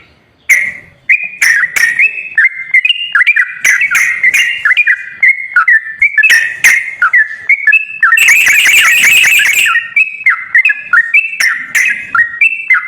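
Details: Sooty-headed bulbul song used to coax a bird that will not sing: a long run of bright whistled notes rising and falling, with one dense, harsh chattering stretch in the middle and occasional sharp clicks.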